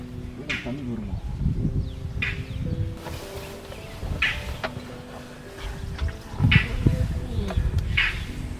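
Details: Indian roller on a Kabini safari in Nagarhole National Park, Karnataka, while elephants are watched after recent rain, gives harsh, rasping bursts roughly every two seconds over a man talking, background music and low engine rumble.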